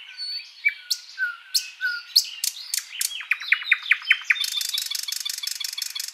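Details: Thrush Nightingale in full song: soft whistles building into loud clicking notes, a fast series of descending chuckles, then a long dry rattle of evenly spaced strokes.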